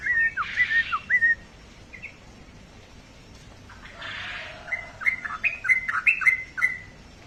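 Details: Pet sooty-headed bulbul giving a few bright chirps, a pause with rustling bursts, then a renewed quick series of sharp rising notes.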